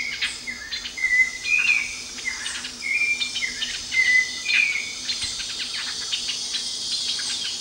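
Streaked Flycatcher giving short, sharp squeaky notes, several in quick succession over a few seconds, against a steady high buzz of insects.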